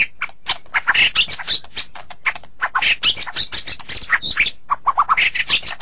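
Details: White-rumped shama, described as sulking: a dense, almost unbroken stream of rapid, harsh chattering notes mixed with short whistled phrases, mostly high-pitched, with scratchy clicks between them across six seconds.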